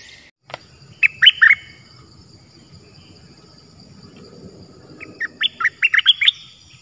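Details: Wild cream-vented bulbul answering a decoy bird while refusing to land on the trap cage, believed to be an escaped bird; two bursts of loud, bubbly, gurgled notes separated by a pause, over a faint steady high hiss.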